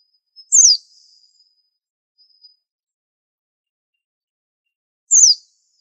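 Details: High, thin, steeply falling whistles from a very unusual white-eye with a unique training song. Two single notes come about four and a half seconds apart, with a faint steady tone and small clicks between.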